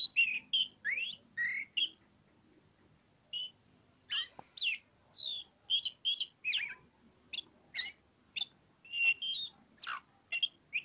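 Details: Oriental magpie-robin of the pociku variety singing in energetic ngobra style: varied whistled phrases, short rising and falling notes with sharp chips, delivered in bursts separated by brief pauses, one longer gap near the middle.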